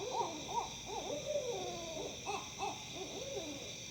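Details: Owls in Tennessee trade quick, wavering hoots in a mid-pitched, irregular series, some notes bending up and down, sounding like monkeys, over a steady high insect-like hiss; the recordist wonders if it is mating.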